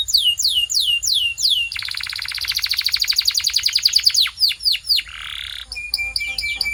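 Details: Singing canary used for training caged canaries to sing: falling whistled sweeps, then a long fast rattling trill of dense repeated notes, more descending slurs, a short buzzy patch and level piping tones.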